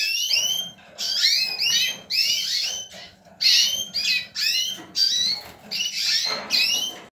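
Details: Male yellow mosaic lipochrome canary born in 2018, singing loud, bright phrases of rapid high trills and sweeping whistled notes in bursts about every half second to a second, with short gaps between.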